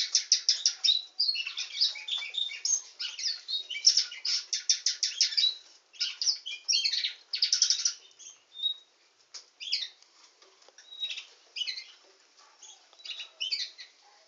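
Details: Canary song with long rapid rolling trills of repeated high notes for the first several seconds, followed by sparser chirps, short whistles and scattered twittering.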